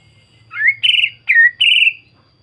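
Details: Greater green leafbird, used as a lure so other birds reply: a rising slurred whistle, then buzzy warbled phrases alternating with swooping notes over about two seconds.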